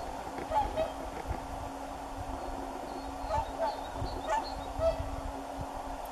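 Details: Whooper swan giving several short, nasal honking calls scattered through the clip, at about 0.6, 3.4, 4.3 and 5 seconds, over a steady hum and low rumbling background noise.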